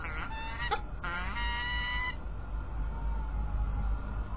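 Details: Brief nasal whines with stacked harmonics from peregrine falcons at Illkirch-Graffenstaden, 3 February 2018. Several short notes lead into a one-second wail, followed by low steady background noise.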